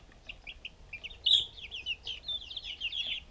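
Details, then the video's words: Fluffy backyard chicks feeding, GoPro recording: clear high peeps, first a few spaced notes, then a quickening run of loud, slightly descending chirps in a quiet background. "Sound and video of Backyard chicks"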